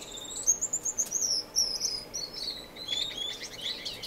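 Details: Finch in an Edmonton, Canada indoor community aviary, non-breeding, March: a run of quick, evenly spaced high tweets, about four per second, followed by buzzier, lower chirping notes as other finches join.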